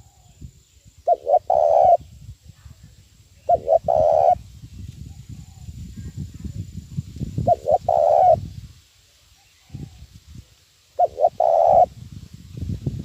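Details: Decoy spotted dove in 'thúc bổi' lure-calling style for trapping, repeating a short-short-long coo phrase about every three and a half seconds over continuous low rumbling and handling noise.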